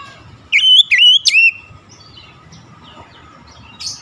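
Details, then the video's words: Oriental magpie-robin giving one short, loud phrase of three rising whistled slurs lasting about a second, followed by quiet background. "OCEHAN PEMULIH KACER MACET BUNYI CEPAT GACOR"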